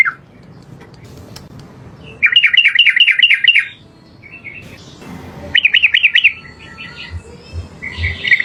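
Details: Trucukan, or yellow-vented bulbul, giving its long rolling 'ropel' song as training material for other birds. Fast runs of six or seven liquid, bouncing notes alternate with shorter chattering phrases and brief quiet gaps.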